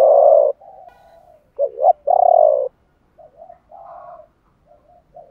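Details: Male and female spotted doves calling to prompt birds to coo; a long steady coo opens, then a rising two-part hoot and another drawn note, followed by softer distant coos.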